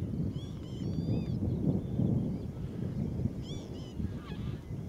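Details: Young northern lapwing at Zandvoortweg, 25 May 2014: thin, arched, slurred calls in two short bursts, early and near the end, over a strong steady low rumble of wind or traffic.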